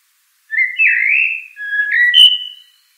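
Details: Common blackbird song: one clean, fluty whistled phrase. A sliding, warbling note comes first, then a short lower whistle and a brief higher note. The background is quiet.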